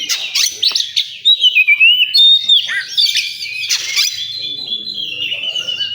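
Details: Oriental magpie-robin singing at a bird singing contest area: sharp chips and squeaky notes lead into a long, clear whistled phrase that dips and rises, then scratchy mimic-like twitters, with other birds overlapping throughout.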